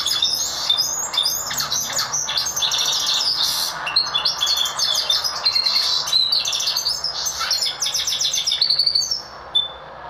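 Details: Goldfinch mule, a hybrid of goldfinch and Lizard canary, singing loudly and continuously: a dense, high, chattering and trilling song with rapid twitters and squeaky notes filling the whole stretch.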